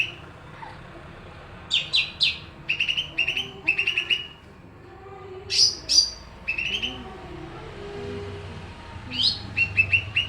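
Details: A greater green leafbird, Pakpak type, sings vigorously despite background noise: repeated groups of sharp, ringing chirps, some higher and piercing, delivered in bursts with short gaps over a low rumbling background.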